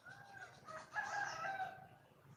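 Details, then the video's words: Wild red junglefowl hen calling for a male. A loud, harsh, harmonic call lasts about two seconds and rises in strength midway, over a faint low background hum. "le bruit d'une poule sauvage,เสียงไก่ป่าร้องหาถู่หาตัวผู้,ສຽງໄກ່ປ່າຮ້ອງຫາຄູ່ຮັກ, poj qaib qus see"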